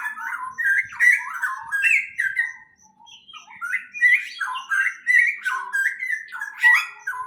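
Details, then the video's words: A continuous chatter of birds in a greenhouse: rapid bright chirps that rise and drop in little jumps, with a short lull midway before the busy squeaky notes resume. "Greenhouse and the chirping sound of birds"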